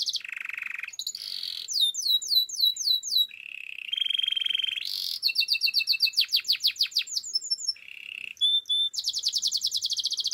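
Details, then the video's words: A Russian canary sings a fast, changing medley: buzzy rolls, rows of crisp slurred notes, sustained tones and bursts of very rapid high trilling, one phrase flowing into the next. "Canary birds chirping - Russian canary song"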